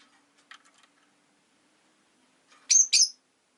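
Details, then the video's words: Rosy-faced lovebirds, five kept in a cage by a window on a winter day, give two loud, sharp, high chirps near the end after a few faint, scattered clicks and ticks. "Lovebird Chirping Sounds"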